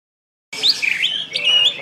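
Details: Greater green leafbird from West Kalimantan (Kalbar) singing in the lively 'gacor' style with 'ngentrok' and 'nembak' phrases. A short burst of bright, twisting whistles and chattering notes, starting abruptly and sustained high-pitched.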